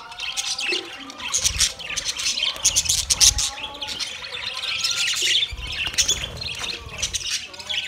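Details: Group of budgerigars feeding together on soft food, recorded 3 October 2023, producing loud overlapping chirps and warbles in waves, interspersed with low thumping knocks.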